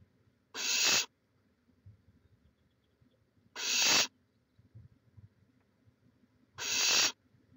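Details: Chula Vista, California barn owl nest, live cam, 18 May 2017: three loud, rough hisses of about half a second, evenly spaced roughly three seconds apart, with near silence between.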